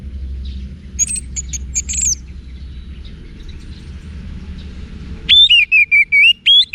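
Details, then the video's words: Orange-headed thrush song used to train cage birds: faint high chirps early, a quiet stretch, then a loud sequence of rich whistled phrases repeated in quick bursts. "ANIS MERAH Manapun Bakal Nyaut Berani Untuk Figther Saat Didengarkan Kicauan Wiksar Ini"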